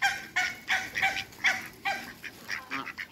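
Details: African geese, two pairs kept in a backyard with Muscovy ducks, utter irregular, harsh, nasal honks, some paired closely and others spaced unevenly, with fainter calls near the end.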